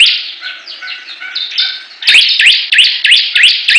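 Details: Competing Bar-winged prinias: a softer descending run of high notes, then a loud burst of quick rising chirps repeated roughly three times a second over buzzy overlapping song.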